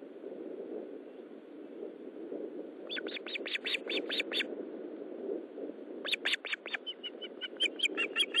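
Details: Osprey at the nest at 20:15 on 13 July 2012 as a fish is delivered; two runs of sharp, piercing chirps, roughly three per second, rising out of a steady rushing background hiss.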